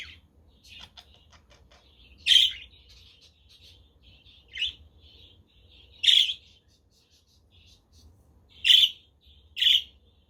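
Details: Pet parakeets (budgerigars) keep up a soft buzzy warble while loud harsh squawks break in about every two seconds. Recorded on a windy, sunny day, with a Quaker parrot and a conure heard nearby.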